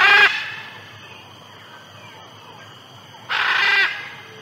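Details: Amazon macaw letting out two harsh, grating squawks about three seconds apart, the second longer, against a constant high-pitched insect hum.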